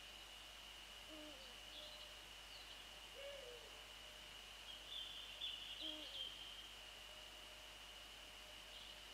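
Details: Male and female Eurasian eagle-owls calling on 28 February 2014 between 6:27 and 6:29 in the morning; faint, low hoots recur several times amid a steady high-pitched background tone, with a few thin bird notes above.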